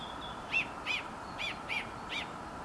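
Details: Bird singing in the grounds of Ballymascanlon Hotel, Dundalk: five short, bright arched notes spaced about every half second over steady low background hum.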